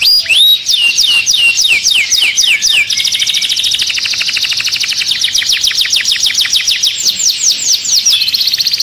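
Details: Singing canary, played to stimulate other birds for mating. Opens with a run of loud looping whistles, then long fast rolling trills of repeated notes that change speed and pitch, sustained throughout.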